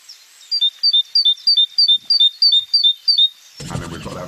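Great tit repeating a thin, high two-note phrase about nine times, each pair stepping down in pitch, roughly three per second; a burst of speech ends it.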